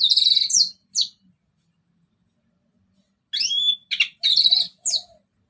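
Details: Orange-headed thrush singing in ngeplong style as a lure for other birds: a buzzy, rich opening phrase and a short note, a three-second silence, then rising whistles and harsh chattering notes.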